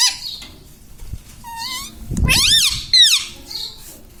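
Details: Talking pet Indian ringneck parakeet, said to speak mummy, papa and radhe radhe; a thin rising note, then two strong arched, harmonic syllables in quick succession, with a dull knock and faint room noise.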